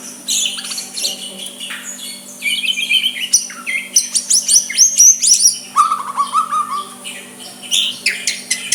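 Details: Soft song of a white-rumped shama to provoke a rival: bright high chirps and trills, then a run of descending whistled notes, ending in scattered high notes, with a faint hum behind.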